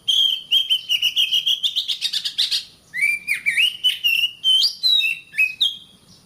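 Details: Oriental magpie-robin song used as a training recording for caged birds: a rapid series of sharp clicks and ticks, then loud whistled phrases that rise and fall, bright and varied, repeated with short gaps.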